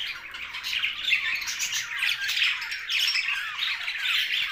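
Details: Budgies, small Australian parrots, produce a continuous raspy chatter of squawks and scratchy warbles, fairly even in loudness throughout.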